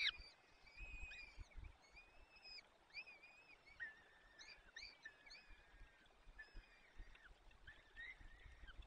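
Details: Peregrine falcon nest in the Barycz Valley on 30 April 2020 during a feeding by the male; repeated short whining calls with strong overtones, some stepping lower in pitch, spaced through the recording over faint background hiss.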